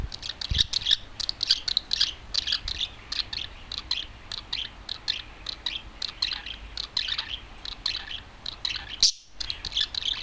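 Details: Adult male budgerigar, one bird let out of its cage and perched on a television indoors, a loud, often-calling bird, singing a continuous chattering warble of rapid high chirps and clicks with brief gaps, one short silence near the end.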